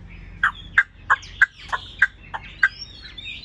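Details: Caged Chinese hwamei delivers a loud run of short, punchy notes roughly three per second, slightly irregular in spacing, with soft higher twitters in between.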